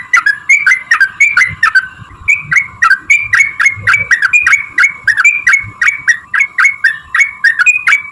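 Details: Sooty-headed bulbul in long continuous song to make other birds sing: a steady stream of bubbly, slurred whistled phrases, several per second without pause, over a faint hum.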